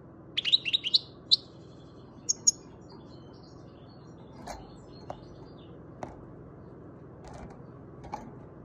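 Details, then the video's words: Seven-month-old young European goldfinch from Macedonia singing, giving a quick burst of bright, tinkling twitters and high buzzy notes, followed by sparse soft clicks and ticks. "Goldfinch Trnance 7 month young bird best song"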